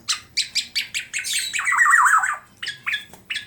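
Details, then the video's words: Black-naped oriole, a tame caged bird from Klaten, Central Java, singing vigorously: a run of short repeated harsh notes, then a loud fluid warbling phrase that dips and rises, followed by more clipped notes. "Kepodang Emas Gacor Jinak Full Isian sampai Teller"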